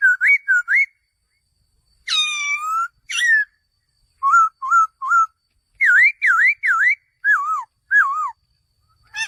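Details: Male laughingthrush giving loud, clear whistled phrases: short rising and falling slurred notes in quick bursts of two to four, one harsher buzzy note near two seconds, separated by brief silences; no other sounds.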